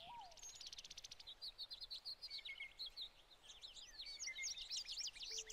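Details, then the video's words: American goldfinches in summer plumage, with some pine siskins, feeding on sunflower hearts at a tray feeder in spring 2020; busy high twittering, rapid buzzy trills and sharp chirps overlap continuously, with quick repeated notes early on. "Mostly American Goldfinch with some Pine Siskins Feeding on Sunflower Hearts"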